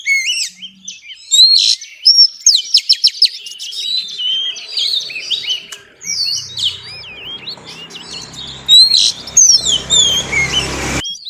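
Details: Female Oriental magpie-robin giving xùy song meant to excite males, with bright whistled phrases and quick staccato notes early on, then scattered sweet slurs over rising background hiss and low rumble in the later seconds.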